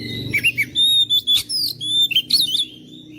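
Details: Oriental magpie-robin singing loudly to challenge a silent, lazy bird: clear ringing whistles held briefly, interspersed with quick slurred chirps and short warbled twists, almost continuous for three seconds.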